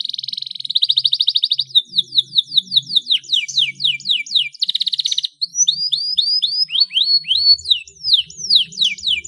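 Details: Canary in full energetic song, recorded as a lure to get untrained young canaries singing: a fast buzzy trill opens, then rolling chains of downslurred whistled notes repeated several times a second, with a faint low hum beneath.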